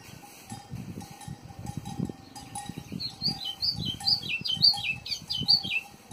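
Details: White-throated seedeater singing at a country farm: a rapid run of high, varied whistled and chirping notes, repeated over about three seconds, over low thumping knocks and a steady faint hum.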